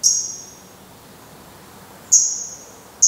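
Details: Black redstart at the nest while the last chick departs, 24 May 2020: two isolated high thin whistled calls, about two seconds apart, each sharp then fading, with quiet between.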